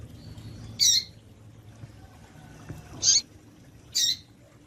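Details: Double-collared seedeater female call to excite males: three harsh, high chip notes spaced irregularly about one to two seconds apart over a faint low hum.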